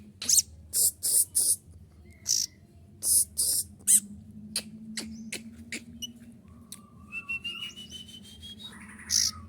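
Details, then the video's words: Sunbird singing a song filled with mimicked prenjak and kapas tembak phrases, used as a tutor recording: loud, sharp, clustered high bursts, then thinner whistles, over a steady low hum. "kolibri ninja isian prenjak dan kapas tembak jelas dan keluarkan suara gacor"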